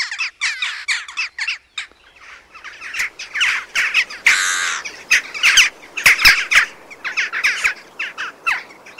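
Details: Jackdaws (Corvus monedula), a social flocking species, give short, sharp 'tchack' calls in quick, uneven bursts, several birds overlapping, with one harsher rasping squawk midway.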